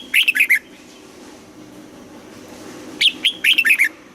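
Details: Morning song of a Red-whiskered bulbul being trained toward the double-note 'âm kép già rừng' style. Two bursts of clear, chirpy, warbled notes rise and fall, separated by a quiet gap of over two seconds.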